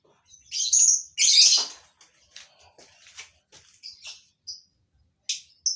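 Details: Two loud, harsh screeching bursts from captive colony-bred lovebirds are followed by softer, scattered high chirps and a final sharp note.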